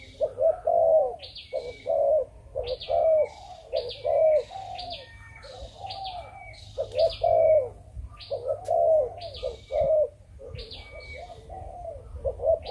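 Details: Captive breeding Malaysian spotted dove cooing in the 'chụp chụp ô' pattern, with low soft hoots in continuous phrases. Frequent high, stepped chirps from other birds sound throughout.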